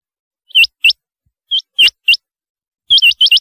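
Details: Rain quail (chinga batair) calling: sharp, high, upswept whistled notes given mostly in quick pairs, ending with a fast run of four notes, in a quiet background.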